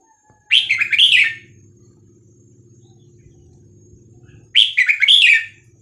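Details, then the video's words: Vietnamese-type red-whiskered bulbul kept as a cage bird, its song played to teach young birds and excite them: two matching bubbly warbled phrases about four seconds apart over a low droning mechanical hum. "นกกรงหัวจุกเวียดนาม 3-4-5-6-7 เปิดสอนลูกนก เปิดยั้วนกฟังนกคึก"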